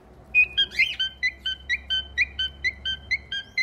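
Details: Pet cockatiel performing a whistled song: a brief sliding opening phrase, then a steady run of clear, harmonic-rich whistled notes repeated about every quarter second, evenly spaced, in a quiet small room.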